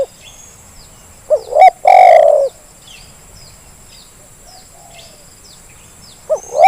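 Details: Spotted dove lure call meant to prompt reluctant doves to call: a short rising two-part coo leads into one long, falling, hollow coo, then a pause filled with faint high chirps of small birds before another short rising coo.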